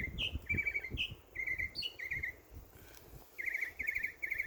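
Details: Birds chirping in a backyard in summer: bright, rapid trilled chirps, some rising sharply, come in quick bursts, with a short pause before a final run of three even trills.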